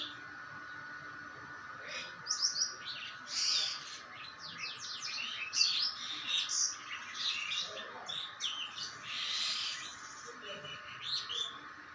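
Common myna giving a busy run of high, chattering chirps and short whistled notes, almost without pause, over a steady background hum.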